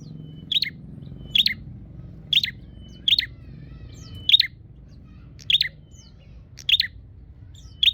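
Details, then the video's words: Bar-winged prinia calling in search of a rival, giving a regular series of sharp, high chirps about once a second, each with a short thin whistle, over faint low background hum. "suara burung prenjak nyari lawan"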